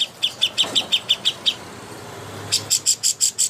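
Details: Contest-training master song of a greater green leafbird: about eight quick high chirps, a second of near silence, then a fresh series of brighter, louder repeated notes.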